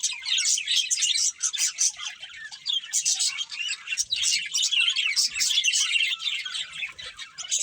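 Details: Breeding budgerigar pair warbling: rapid bursts of squeaky chirps and scratchy twitters that rise and fall in loudness, with short pauses between busy phrases and occasional faint low bumps.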